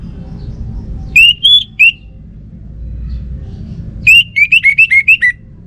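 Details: Orange-headed thrush singing three whistled notes, then after a pause a quick descending run of about seven chirpy whistles, over continuous low background rumble.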